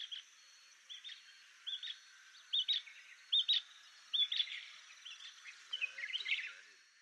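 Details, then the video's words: Painted bush quail, a series of soft whistles given when members of a scattered covey regroup; clipped, upward-inflected notes repeated roughly every 0.7 seconds, becoming louder and denser near the end. "Painted bush quail (Perdicula erythrorhyncha) sound call and song"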